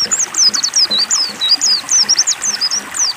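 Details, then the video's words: A caged white-eye given water therapy to coax it into singing sings a fast, continuous run of thin, high twittering notes, rising and falling quickly, over faint trickling water. "terapi air pleci agar mau bunyi"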